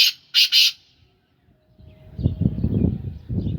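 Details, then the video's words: Kept black francolin of the Sindhi Gangetic breed, described as tall with a long build, gives three harsh, grating notes in quick succession, followed by low rumbling background noise. "Kala teetar ki awaz / black francolin voice"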